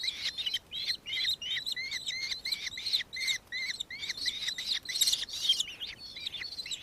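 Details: Recorded in Victoria, Australia, on 4 December 2024: a nankeen kestrel's shrill, rapidly repeated chattering, with dense overlapping notes and a brief louder burst near the five-second mark.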